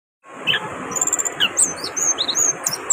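Orange-headed thrush singing a rapid run of high, varied whistles and chirps, some sliding down, over a steady high hiss and background noise.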